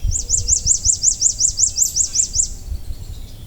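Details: American redstart song recorded in a Massachusetts yard during spring migration: a rapid run of about a dozen thin, high, sweet, evenly spaced notes, then fading, over a low background rumble.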